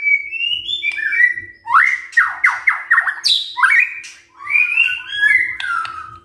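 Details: White-rumped shama song for morning lure: rising whistles, a run of about six rapid sweeping notes, a harsh high burst, then warbled whistles fading out, with a faint steady hum.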